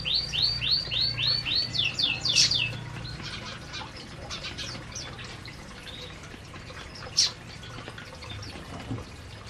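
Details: A canary among a flock eating in an aviary opens with a run of six or seven quick rising-and-falling whistled notes. Scattered high chirps and a low hum follow.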